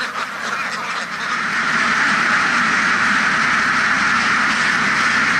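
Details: Crowded duck farm, quacking starts a little softer and swells after the first two seconds into a loud, constant roar of many ducks calling together.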